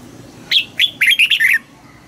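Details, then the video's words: A Red-whiskered bulbul trained for singing contests gives one fast phrase of six clear whistled notes, sliding up and down, lasting about one second. "Chào mào hót đấu Luyện giọng cho chào mào hót sáng, ép chào mào hót âm kép già rừng hay tuyệt!"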